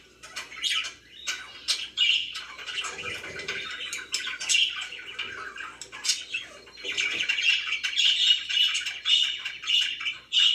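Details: Pet budgerigars on a relaxing day, uneven bursts of buzzy chirps and squawks, a quieter stretch in the middle, then busier, denser warbling chatter toward the end.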